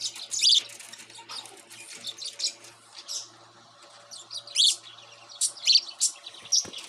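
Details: Young pet cockatiel, raised from a baby, indoors, calling with sharp high chirps, scattered at first and then clustered in a rapid run near the end; soft rustling between calls.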